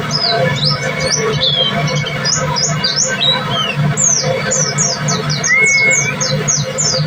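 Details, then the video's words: White-breasted white-eye (pleci dada putih) in continuous tembakan-style song: fast volleys of high, sharply falling notes mixed with a few longer slurred whistles, over a constant low hum and background music. "Burung pleci dada putih ( Daput) gacor Tembakan spiitttt!!!!"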